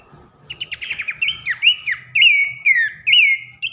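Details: Horsfield's babbler in a masteran tutor recording for training contest songbirds, loud 'nembak nyiul' style: a run of quick downslurred chirps gives way to long, clear, ringing whistles, each with a bright upward flick, several in under four seconds.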